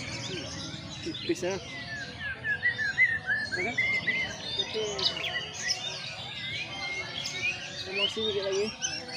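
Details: Caged white-rumped shama (murai batu) during a sunning session, pouring out a dense, fast medley of varied whistles, chirps and trills without pause, with background noise throughout.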